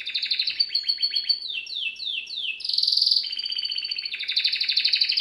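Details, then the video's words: Canary in training song, with a series of descending slurred whistles repeated about twice a second, then a loud buzzy trill and a rapid rhythmic rolling trill, over a faint low hum. "Bird song | Canary singing| training bird | best canary | Serinus canaria"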